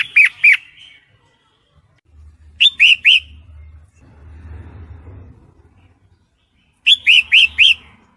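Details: Sooty-headed bulbul female in breeding condition calls the male: three bursts of quick, ringing downslurred chirps, two to four per burst, with a low rumbling hum in the background between them.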